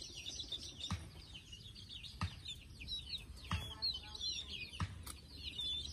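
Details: Chicks settling to sleep keep up a soft, high peeping chatter, broken by regular sharp knocks about every second and a quarter, over a low background hum.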